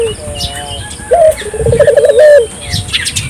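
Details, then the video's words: Single phrase from a spotted dove used as a lure for local doves: a brief bright note, then a rapid throbbing trill that ends in a held coo, set against faint chirps of other birds. "suara burung puter gacor,merangsang burung puter lokal ikut gacor"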